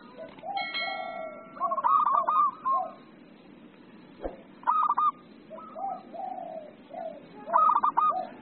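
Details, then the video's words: Local zebra dove singing actively: soft low coos, then bursts of rapid stuttered cooing, with a brief tonal whistle near the start and a single sharp knock midway. "PERKUTUT LOKAL GACOR"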